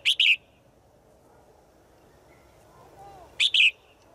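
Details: Female bird calling daily to a male in the forest: a pair of short bright high chirps, a quiet pause with a faint soft whistle, then the pair again.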